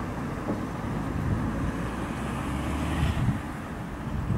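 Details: Steady low rumble of passing vehicles with some wind, and no animal voices.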